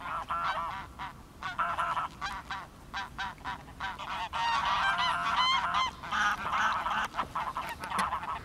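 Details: Greylag geese on 10 March 2021, sharing the site with mallards and a mute swan. A dense, overlapping chorus of loud nasal honks, some slurred upward, comes in irregular bursts of roughly three calls per second.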